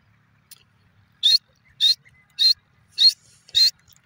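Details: Female grey francolin, kept bird in Pakistan, calling: five loud, harsh, high-pitched notes repeated about every 0.6 seconds, each short and scratchy with a rising edge, over an otherwise quiet background.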